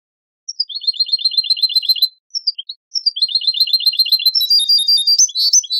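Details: Ceuta-style old Moroccan training recording of European goldfinch song, sanfonia pattern: two fast, even trills separated by a short pause and a few chips, ending in a jumble of high, bright twittering.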